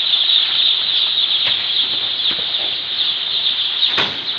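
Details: Baby chickens just after hatching on the first day of brooding at a poultry farm: a dense, continuous chorus of high, shrill peeps from many chicks, with a few sharp clicks or knocks around the middle and end.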